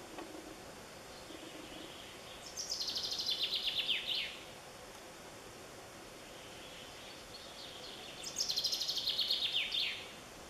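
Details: Bird song recorded in Romania, with two matching high-pitched trilled phrases about six seconds apart. Each phrase is a fast run of repeated notes drifting downward and lasts roughly one and a half seconds, over constant soft background noise.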